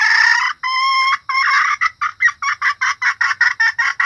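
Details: Female red junglefowl calling, a decoy sound for luring cocks and other hens: two drawn-out harsh nasal notes, then a steady series of short clipped clucks about three per second, growing choppier toward the end.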